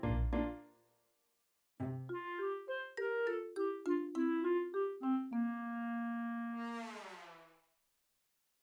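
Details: Piano notes play a short melody, a low chord first, then a run of bright keyboard tones stepping down and ending in one held note, with no animal heard.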